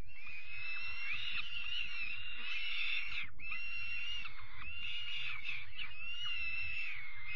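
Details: Evening feeding of young peregrine falcons on 5 May 2021: two long bursts of hoarse, wavering screeching split by a brief pause, with low-pitched rumbling noise throughout.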